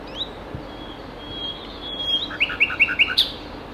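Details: Common nightingale song from Ostravice, Ostrava, Czechia, 27 April 2019 at 11:20: a thin drawn-out whistle, then four or five loud, evenly spaced chopped notes and a final sharp high note, over a quiet natural background.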